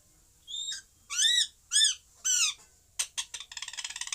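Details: Parrot giving a short whistle, then three loud arching squawks, followed by rapid clipped chatter notes repeated in a quickening series.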